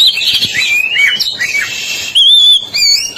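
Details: Oriental magpie-robin, black-breasted East Java form, singing briskly: jumbled chattering notes give way to a long, clear wavering whistle, then more sweet rising and falling phrases.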